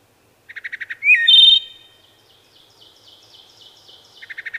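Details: Wood thrush: soft stuttered notes, a sharp whistled swoop into a loud fluty phrase, then a long faint series of thin high notes before the soft stutter begins again.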